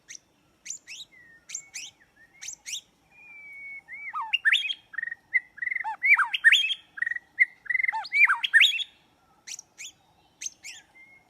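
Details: White-rumped shama song played to trap birds: loud, varied and melodious, mixing sharp high ticks, long whistles and rapid looping warbled phrases in bursts, with a clean, quiet background.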